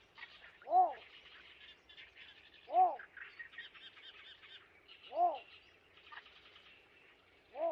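Yellow Bittern giving four low, hollow, slightly falling notes, one every two to two and a half seconds, over a steady chatter of other birds or insects.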